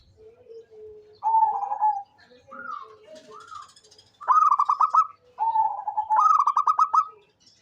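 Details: Local zebra dove singing actively: soft low coos at first, then two loud phrases of rapid staccato pulses on a steady pitch, the last linked to a lower purring lead-in.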